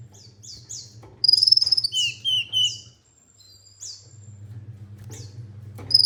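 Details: Olive-backed sunbird giving a quick pulsed trill followed by a series of short, sliding chirps and a lower buzzy phrase, over a persistent low electrical hum.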